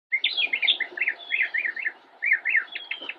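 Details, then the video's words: Immature Northern mockingbird singing from a bush in Cabarrus County, North Carolina, on 10 October 2016: a run of varied, fast chirping and slurred phrases, rising and falling, with a short pause before a final burst. "Northern Mockingbird - Singing from Bush"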